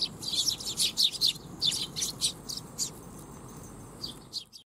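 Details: Several Eurasian tree sparrows arriving to be fed at a Tenmangu shrine, 12 July 2021, utter quick high chirps, about two or three a second, fading out near the end over faint low rumble.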